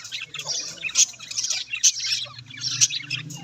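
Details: Chattering budgerigars give rapid scratchy warbles with sharp squeaks recurring roughly once a second, over a steady low background hum.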